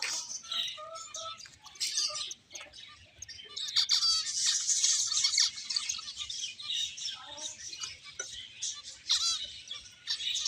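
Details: Many finches at play chatter in fast, irregular high chirps, roughly three per second, with brief thin whistles and a dense twittering wash.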